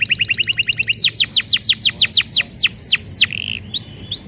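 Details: Canary song intended to get other canaries singing: quick paired trill notes, then a steady series of about ten descending whistled sweeps and two rising whistles.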